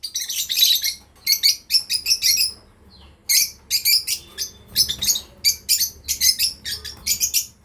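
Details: Breeding pair of lovebirds kept by a breeder, chirping. Shrill, scratchy chirps come in dense bursts, one after another, with only brief gaps between them.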